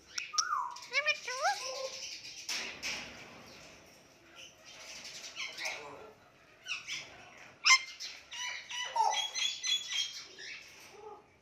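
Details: Talking Indian ringneck parakeet chattering in varied voice-like phrases, mixed with wavering whistles and sharp squawky notes.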